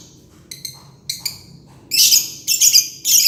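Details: Green lovebird ngekek: a few thin squeaky notes open, followed by loud, harsh, noisy chattering bursts that come almost back to back.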